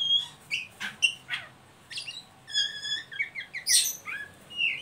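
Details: Oriental magpie-robin giving ngeriwik calls, used to lure and stimulate young birds to sing: a varied run of clear whistled notes, some rising and some falling, mixed with sharp chips and a short rasping burst, over faint low background hum.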